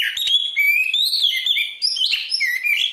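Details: Oriental magpie-robin (kacer) in full energetic song, used for training and morning and evening therapy of kept birds; a continuous, rapid warble of varied whistled and chattering notes with no pauses.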